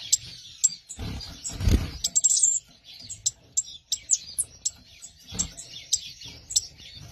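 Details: Newly paired Gouldian finches give short, thin, high chirps at an irregular pace, often several a second, with a few low thumps and rustles from movement nearby.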